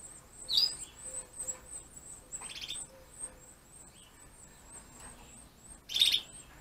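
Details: Breeding Gloster canaries, hen and cock, feeding their young; the nestlings keep up a continuous shrill, rapid ticking, and three loud, harsh begging bursts stand out near the start, the middle and the end.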